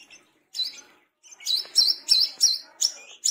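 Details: Tame brown-throated sunbird singing actively: a fast series of sharp, high, V-shaped chirps, about three per second, with a few softer notes at the start.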